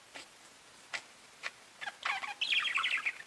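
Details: Pet budgies: a handful of isolated sharp clicks, then rising into a busy, high, scratchy warbling chatter.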